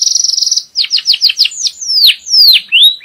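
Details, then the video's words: Canary song aimed at teaching young birds and preparing the hen for breeding: brief fast trill, quick chirps, then long clear whistles sliding downward. "تغريد كناري نار لتعليم صغار وجهوزية الأنثى"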